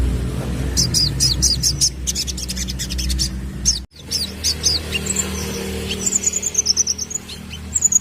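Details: Sunbird song used as a lure for young birds: short rapid high trilled bursts, a brief break, then thin high whistles and chips, with a steady low hum underneath.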